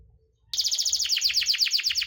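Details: A canary's song, offered as a lure to set quiet canaries singing, bursts in after a short pause as a rapid, bright trill whose notes grow fuller and more sweeping partway through.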